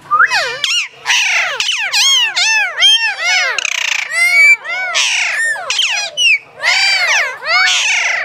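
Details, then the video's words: Talking hill myna at Cambodia's Phnom Tamao Zoo delivers a dense, continuous stream of loud, rich, bending calls and squawks, several per second, varied in pitch, with little else audible. "សារិកាកែវ វង ចេះនិយាយ នៅឧទ្យានសួនសត្វភ្នំតាម៉ៅ | Hill Myna can speak in Phnom Tamao Zoo"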